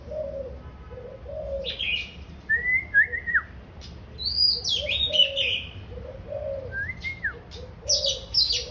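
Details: Oriental magpie-robin singing clear, sliding whistled notes that rise then fall, alternating with sharp high chips and scratchy phrases. Steady low cooing like a dove runs underneath.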